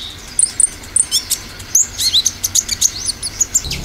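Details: Olive-backed sunbird lure song in the 'tembakan' style: sharp, very high tweets, sparse at first, then a quicker run of short rising chirps, with light background hiss.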